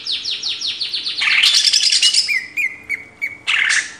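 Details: Greater green leafbird on a cage-bird training master: a quick series of descending whistled notes, then busy high chattering and several separate whistled slurs.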